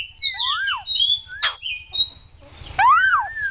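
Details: White-crested laughingthrush delivering loud, looping whistled notes that swoop up and down, broken by a short harsh burst, over a low background hum.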